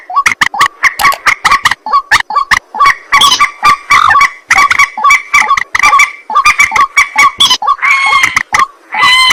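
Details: White-breasted waterhen calls at night: nonstop rapid harsh croaking with strong overtones, closing with a few longer, more tonal drawn notes.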